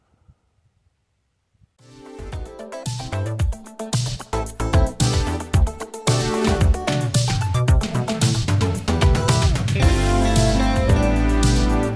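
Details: Near-silence for two seconds, then loud, beat-driven music with plucked guitar and heavy bass; no animal sounds.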